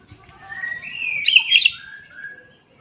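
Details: Oriental magpie-robin delivering a brief rising whistled phrase that swells into a pair of loud, sharp notes, then trails off into softer descending whistles over faint background noise.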